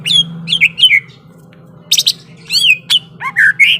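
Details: Greater green leafbird singing aggressively: a few descending whistled slurs, a short pause, then harsh bursts, looping whistles and a clear rising note, while a low droning hum runs underneath.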